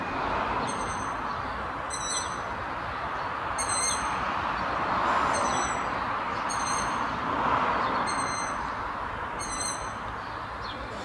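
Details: Young long-eared owls in a town in Martin, Slovakia, calling from spruces and trees around 7:30 pm, give about six high, squeaky, creaking-gate whistles roughly every one and a half seconds over a steady background rush.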